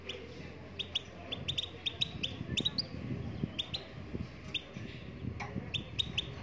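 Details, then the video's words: Moroccan goldfinch singing: short, thin, high chipping notes that rise sharply, given singly or in quick pairs at uneven intervals over a low, rumbling background. "Chardonneret marocaine chante"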